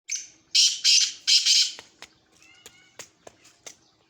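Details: Black francolin calling: a harsh, rasping phrase of four loud grating syllables over about a second, followed by a few faint scattered clicks and chirps in a quiet outdoor setting.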